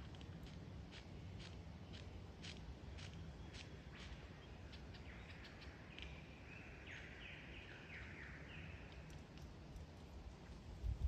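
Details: Before the mating season, a lyrebird rehearses song and dance: a spaced series of sharp clicks, followed by a tumbling, warbled cascade of notes, with steady low background noise.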